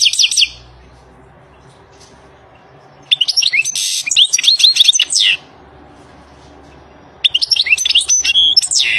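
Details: European goldfinch in the wild giving tinkling, jangling song phrases of quick high chirps and slurred whistles, three bursts spaced by silent gaps, with a soft background hum.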